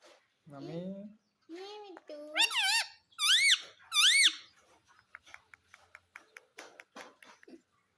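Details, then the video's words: Talking pet Indian ringneck parakeet, reported to say mummy and papa; a person speaks first, then three loud, piercing arched calls repeat, trailing into soft ticking clicks. "मम्मी पापा बोलने वाला मिट्ठू || Ringneck talking parrot mitthu"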